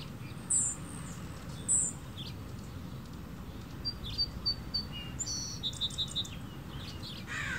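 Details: Hummingbirds feeding on nectar at a backyard feeder, hovering and flying backwards: two sharp, high squeaky notes early on, then a scatter of short, thin, high ticks and chips in quick runs, over a steady low background rumble.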